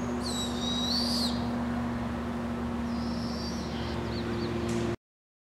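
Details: One long, wheezy, high screech from a family of Barred Owls in British Columbia, Canada, followed by fainter hissing notes, over a steady low hum before the sound cuts off.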